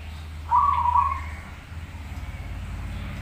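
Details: Zebra dove singing a master song for training; a single short, low, slightly rolling coo lasting under a second, followed by steady low rumbling background noise.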